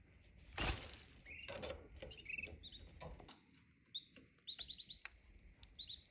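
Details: Canary singing: a run of quick, bright whistled notes and short trills, some rising, delivered in rapid bursts after a loud rustling knock at the start, with faint background hiss.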